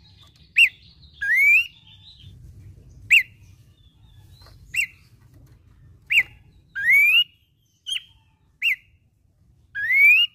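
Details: A babbler, described as living in hillside scrub, sings sharp upward chips alternating with longer rising, slurred whistles.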